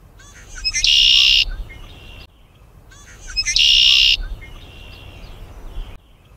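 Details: Red-winged blackbird of North America giving two loud phrases about two and a half seconds apart, each a few short clipped introductory notes followed by a long, harsh, buzzy trill, with faint softer notes trailing after.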